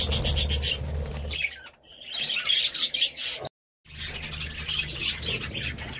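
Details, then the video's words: Budgerigar chatter of rapid high chirps and squeaks, broken by a brief pause near the middle and a moment of complete silence before resuming. "Budgie Sounds"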